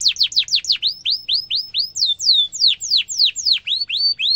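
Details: Canary tutor song for young canaries to copy, sharp rolling: quick falling sweeps, a series of upswept whistles, then more falling and rising notes at about three to four per second.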